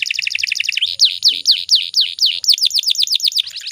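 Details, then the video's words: Breeding-condition female canary calling so males start singing; a quick doubled chirp trill gives way to loud, even, descending whistled sweeps about four per second. "PANCINGAN KENARI BAHAN AGAR CEPAT BUNYI"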